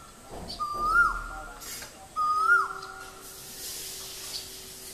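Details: A male Asian koel in Guwahati, Assam, India gives two loud, clear whistled notes, each swooping upward then dropping, about a second and a half apart, over a faint steady hum.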